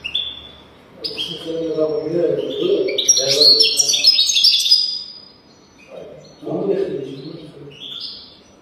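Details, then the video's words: European goldfinch singing in a teaching recording for goldfinches: long rapid, jangling twittered phrases over a lower, murmuring background sound, then a short whistled ending. "تغريد رهيب طائر الحسون حفاضة لتعليم طيور الحسون بدون أخطاء"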